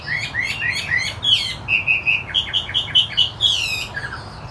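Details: Gacor song from a wambi putih Chinese hwamei: quick rising whistles, then a run of about ten evenly spaced, repeated clear notes, ending in a burst of sharp sweeps and fading whistles.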